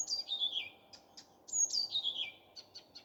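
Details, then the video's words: Common nightingale singing in the morning: two similar phrases, each a high whistle dropping in a rapid cascade of trilled notes, followed by quick soft chirps. "Nightingale singing. Утренее Пение Соловья."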